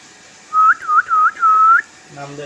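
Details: A talking common hill myna calling out a person's name: four clear whistled syllables, each dipping and rising, lasting just over a second, followed by a low voice.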